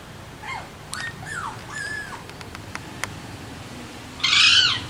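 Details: Several short, clear, down-slurred Alexandrine parrot calls with a few sharp clicks, then a sudden loud, harsh screech lasting about half a second.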